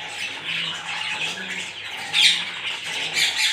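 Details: An African grey parrot gives harsh, rasping squawks, the loudest midway with a brief thin whistle, over a steady low indoor hum.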